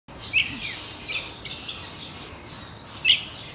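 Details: Blue-throated bee-eater calling: short, bright, slightly rolling notes in scattered bursts, louder at the start and again near the end, over a quiet, low background hiss.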